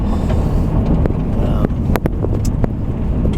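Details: Low rumbling wind and vehicle noise with a few faint clicks and knocks; no animal voice is heard.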